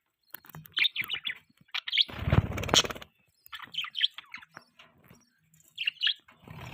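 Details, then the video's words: Budgerigars chirping: clusters of quick, high warbling chirps in short bursts separated by pauses, with a loud broadband rustle or thump in the middle. "Beautiful budgies chirping sounds"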